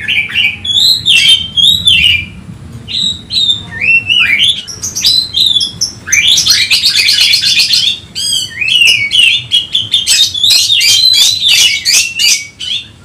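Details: Oriental magpie-robin looking for a rival, mixing clear slurred whistles with long stretches of dense buzzy chattering and scratchy notes, a loud nonstop varied outpouring.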